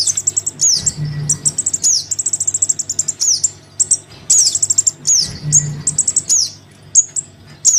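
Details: Crimson sunbird nestling begging from its parent, used as a lure for hard-to-attract sunbirds: dense, rapid high trills and falling squeaky notes in nearly continuous bursts, with a steady low hum behind.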